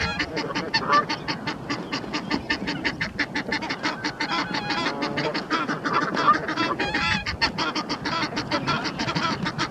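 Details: Egyptian geese fighting: two males wrestle on the Round Pond while a mate shouts encouragement in a ten-minute fight. Harsh, rapid honking and hoarse hissing calls in a fast, uneven stream, several birds overlapping loudly.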